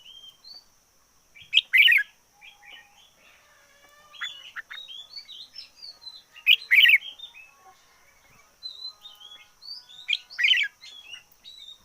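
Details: Caged red-whiskered bulbul kept as a decoy bird, singing hard: three loud bursts of warbled, slurred whistles about every four to five seconds, with softer chirps between and a faint steady high-pitched tone behind.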